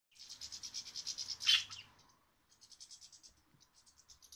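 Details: Many goldfinches at seed feeders (white and black sunflower seed, peanuts), with pet budgies nearby, twitter in a bright, high, rapid series of tinkling notes with a brief pause midway.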